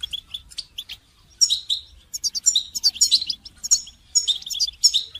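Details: Goldfinch heard in song training, opening with sparse high chirps, then a busy, rapid twitter of bright, trilled and buzzy notes that runs almost without a break to the end.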